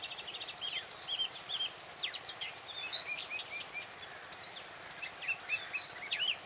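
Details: Oriental magpie-robin song recorded in Bada, North 24 Parganas: a varied run of short whistles, slurred notes and chirps, fairly soft against constant background noise.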